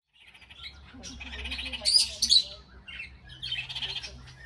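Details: Red-crowned amazon (Amazona viridigenalis), call.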